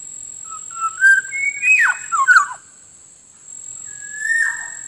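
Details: Black-naped Oriole sound used to lure wild birds: short rising whistles build into a jumble of sharp, dropping, liquid notes, then quiet, then one longer fluty whistle with a steady high tone in the background.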